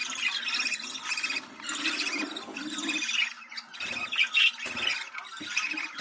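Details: Budgerigar breeding-stimulation call: overlapping chirpy warbling with buzzy notes, a low hum underneath, and several sharp clattering bursts in the second half.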